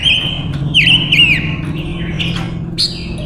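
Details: Silver-eared mesia female decoy song used to attract wild males; a steady, high whistled tone bends into quick looping inflections, then short rising and falling whistles, with a constant low hum underneath.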